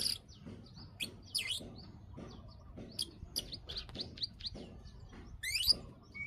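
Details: Bar-winged prinia (ciblek) click calls used as a breeding-condition lure, a busy run of short, high ticks and chirps with one louder rising note near the end, low background hum throughout.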